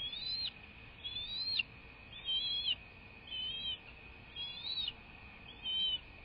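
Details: Bald eagle from a live nest cam, recorded on the morning of 21 March 2024 at 08:45. Six thin, bowed whistles are spaced roughly a second apart, each ending in an abrupt downward flick. A steady hiss sits underneath.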